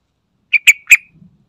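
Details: Lure recording of a yellow-vented bulbul, meant to provoke other birds to answer: three loud, sharp notes, the last two harsher and more explosive, spaced under half a second apart, followed by a faint low rustle.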